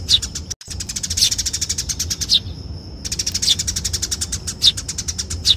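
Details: Eurasian tree sparrow fighting chatter used for luring: a steady stream of shrill, buzzy chirps at a rapid clip, sharper accented notes every second or so, interrupted by an abrupt cut and a half-second lull.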